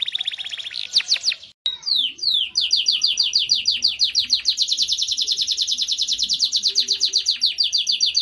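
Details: Song of a Belgian canary, recommended for warming up young canaries: brief trills and a few sweeping whistles, then a long, steady, rapid trill of short high notes lasting over five seconds.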